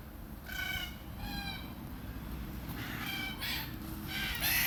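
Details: A red-tailed black cockatoo in Australia, feeding on beach almond seeds, gives four harsh, rolling, grating calls about a second apart over a steady low rumble of wind or distant traffic.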